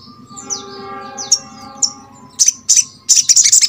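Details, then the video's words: Crescent-chested babbler song used as a prompt for others of its kind: high downslurred whistles spaced apart, giving way to loud, quick chip notes in clusters, over a faint low buzz. "MASTERAN SOGON ( sogok ontong ) BAHAN AGAR RAJIN BUNYI"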